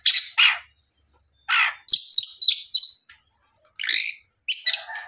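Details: Oriental magpie-robin, singing in the afternoon to draw replies from other magpie-robins; harsh buzzy notes and a run of bright, stacked whistles, with a pause of about a second near the start.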